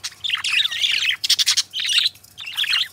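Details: Two pet budgerigar companions singing together: three bursts of busy, chattering warble with squeaky twitters and short scratchy notes, separated by brief pauses, over a faint low hum.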